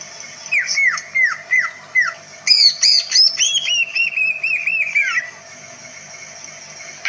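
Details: A greater green leafbird shows its many-voiced song, said to provoke other birds: a run of four downslurred whistles, then a rapid stream of chattering, warbled notes, all high and clear.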